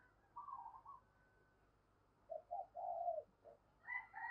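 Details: Female dove calling to stimulate males: quiet, hollow coos in two short groups, the second longer and stronger, then a higher double note at the end over a faint hum.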